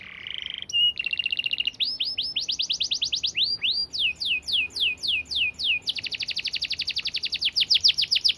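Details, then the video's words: Canary singing a long, clear, fast and tightly packed song used as a training recording: rapid repeated high notes in changing phrases, a short steady whistle, then series of downslurred notes and a dense fast trill, no other sounds. "Masteran Kenari Gacor Speed Rapat‼️Durasi panjang dan jernih"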